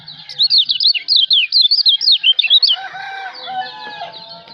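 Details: Kecial lombok, a white-eye from Lombok, recorded as master song for songbird training: quick high zigzagging chirps tumble out for about two and a half seconds before a rooster's crow takes over.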